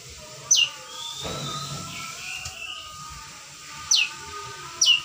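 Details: A young long-tailed shrike, recently out of spotted juvenile plumage and learning to sing, gives three sharp, high notes that sweep steeply downward, spaced irregularly, over a faint steady hum; it has begun singing but does not yet flip.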